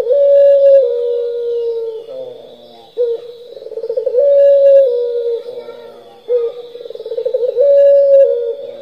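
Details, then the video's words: Turtle dove (puter pelung) cooing in the continuous gacor nglocor style, used as a lure to prompt other doves: low hollow coos, each a held tone breaking into a fast rolling trill, repeated about every three seconds, with a faint steady high tone behind. "Pancingan puter pelung gacor nglocor"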